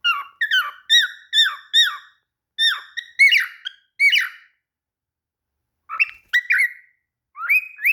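A cockatiel gives a series of bright, rising whistled chirps in quick bursts.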